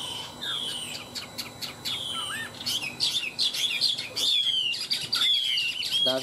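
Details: Fighting song of caged Chinese hwamei, two birds three years in cages: scattered sharp high chirps and a small curled whistle, then long clear descending whistled notes repeated about once a second.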